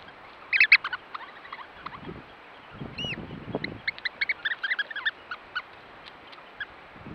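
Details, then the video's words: Eurasian oystercatcher roosting; sharp piping notes in quick bursts, scattered and irregular, with a few low thumps mid-clip. "Oystercatcher roosting"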